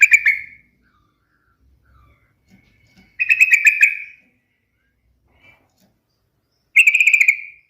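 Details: Sooty-headed bulbul singing brief, rapid chattering bursts of bright notes, three phrases spaced a few seconds apart, with faint low rustles between them.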